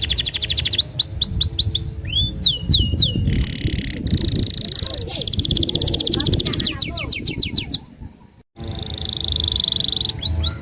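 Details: Canary in full song, vigorous and long-firing, used to tutor young canaries: swooping whistles, dense buzzy trills at several pitches, a short silent gap, then another long trill; low background rumble.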